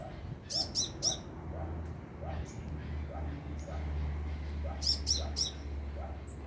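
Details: Sunbird singing vigorously about two meters overhead: quick high, thin chirps in short clustered bursts, with a man speaking and a steady low hum beneath.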